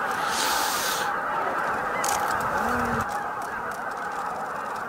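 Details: Roughly 15,000 greater white-fronted geese arriving to roost at Miyajima-numa marsh, Bibai, Hokkaido, 18:00–18:30 on 11 April 2016, fill the air with a continuous roar of high, yelping honks, countless birds calling at once without pause.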